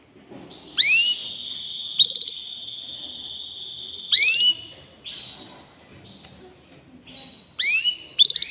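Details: Singing canary mixing long steady whistled rolls with sweeping downward slurred notes and brief fast pulsed trills, the phrases recurring every few seconds.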